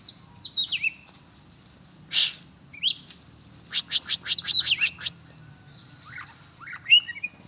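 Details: Oriental magpie-robin (kacer) being exercised outside: scattered high chirps and slurred whistles, a rapid burst of about eight sharp repeated notes, then falling and rising whistled phrases.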